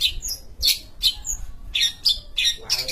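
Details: Long-tailed shrike from Sumatra giving loud, harsh squawking notes in quick bursts mixed with short high whistles, about two per second.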